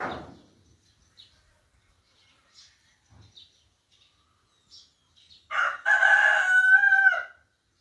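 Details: Birds calling outdoors in Ningthoukhong, Manipur: sparse, faint short chirps over near silence, then a loud, harmonic crowing call lasting about one and a half seconds that holds steady before dropping away at the end.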